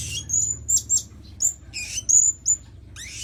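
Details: Blue-crowned hanging parrot lure call to attract birds: a rapid series of very high, thin, sharp whistled notes and buzzy chirps, some sliding downward.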